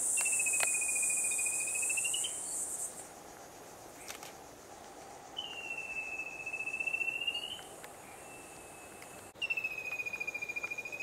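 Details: Rufous-capped antthrush, recorded 3/3/16: three separate trills of fast, evenly beaded whistled notes, each about two seconds long and roughly level in pitch. A steady high insect drone runs through the background.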